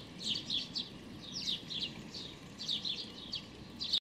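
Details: Pale-feathered young sparrow, almost white, begging for food on 16 May 2019; quick high chirps come in groups of two to four, separated by short pauses, over a soft low background noise.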